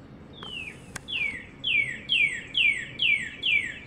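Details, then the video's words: A northern cardinal perched on a wire in sunny north central Florida, spring 2022, calls a run of clear, sharply down-slurred whistles, about two per second, over a faint low hum. "Northern Cardinal call"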